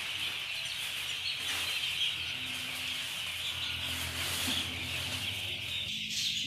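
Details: A crowd of day-old farm chicks in Chimmad, Bagalkot district, peeps in a high, unbroken chorus over a hissing, noisy background with a faint low hum.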